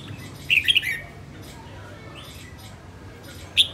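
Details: Female red-whiskered bulbul, a bird in song training, gives a short bright warbled phrase, then a long quiet gap before one more sharp note.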